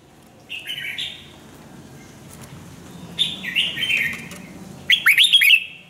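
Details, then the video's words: Training song of a Red-whiskered bulbul: short whistled phrases come three times, the first two softer and slurred, the last a loud, crisp run of quick swooping notes. "chào mào luyện giọng hót hay"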